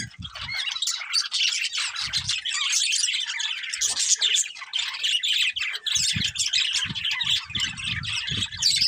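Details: A breeding pair of colourful budgerigars chirping: dense, continuous scratchy chatter and squawky chirps overlapping without pause, with occasional soft low thumps.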